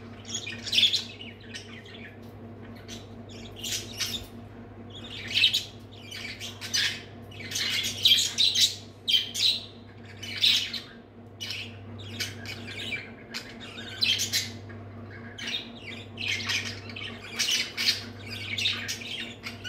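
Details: Two budgerigars, one big and one small, play and chatter in quick bursts of scratchy, high chirps and squawks, over a low steady indoor hum.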